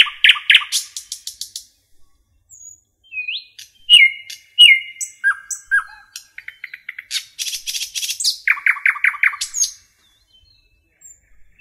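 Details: Forest-dwelling common nightingale singing varied phrases: rapid repeated clicks, slurred rising whistles, level piping notes, buzzy high trills and a loud series of repeated throaty notes, ending in a brief silence.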